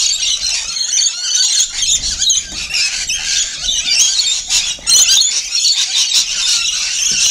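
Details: A feeding flock of rainbow lorikeets: relentless shrill squealing and harsh chattering from many birds at once, high and unbroken, with a short lull near the middle.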